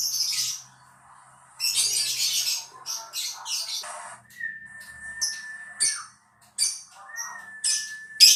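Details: Lovebird song used as a lure recording to prompt other lovebirds to sing: bursts of harsh, high chattering and buzzy squeaks separated by short pauses, with a steady thin whistle-like tone running underneath in places.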